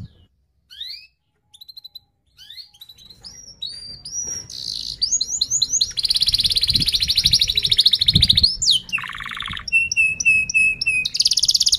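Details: Canary song used to lure and teach young canaries: opens with isolated rising whistles and short chips, then builds into dense buzzy rolled trills, a lower fast rattle, and crisp repeated high notes.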